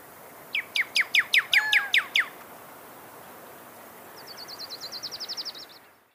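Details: Pyrrhuloxia (desert cardinal) delivering eight ringing downslurred whistles, evenly spaced about four per second, then a pause and a thin, rapid high trill that swells and fades.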